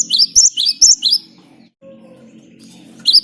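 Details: Great tit singing actively, used to draw other birds into song: a few quick, high, sharply repeated two-note phrases over a low steady hum, pausing before another note begins.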